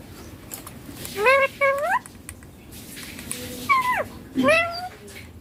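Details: Talking green ringneck parakeet, a pet credited with saying papa and mummy: two paired rising harmonic syllables, a pause, then two more downward-curving voiced words, with light room noise between.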